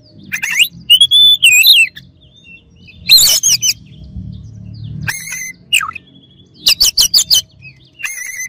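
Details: Rival-provoking Oriental magpie-robin song: rich warbled whistles, a deep downward swoop, and clusters of short harsh rasping notes repeated in quick succession.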